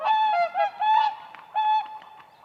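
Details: Whooper swan on a spring lake, dancing on ice: a few drawn-out, clear bugling honks, each under half a second, the last one fading into softer calls.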